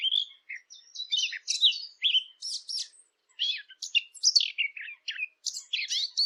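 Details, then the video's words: A Eurasian blackcap song made as a lure for hunting devices: a dense, hurried warble of twittering, scratchy notes, with a brief pause midway, then more rapid chattering phrases, clean and unaccompanied. "صوت التيان او عصفور التين"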